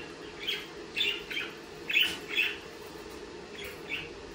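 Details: Budgerigar chirping: a cluster of quick squeaky notes, the loudest pair near the middle, then a pause and two softer chirps at the end.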